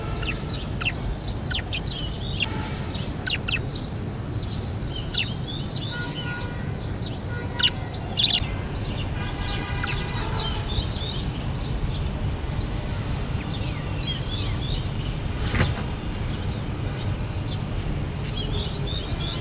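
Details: Budgerigars chatter in a steady stream of quick, high chirps and scratchy warbles.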